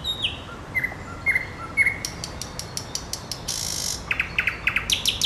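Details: Singing nightingale gives several falling whistled notes, then a stretch of rapid dry clicks, a short harsh rasp, and closing bursts of quick, bright repeated notes.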